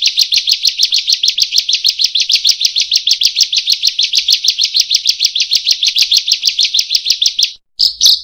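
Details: Bar-winged prinia recording used to train quiet birds: a long, fast trill of buzzy, high chirps repeated over two per second, ending in a brief pause and a final note.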